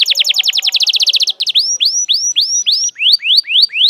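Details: Canary lure song meant to teach young canaries, long full song: a quick trill of repeated notes, then clear upslurred whistled notes about three per second.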